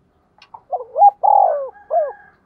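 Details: Single 'thúc gù' phrase from a decoy spotted dove meant to make wild doves coo along: a few soft introductory notes, a rising note, a long pulsing coo and a separate falling final note.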